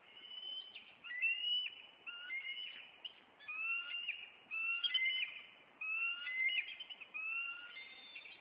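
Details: Bald eagles of a Maine nesting pair, April 26, driving off an intruder; a rapid series of high piercing whistled notes, each phrase slurred and repeated roughly every second, forming a continuous squealing chatter.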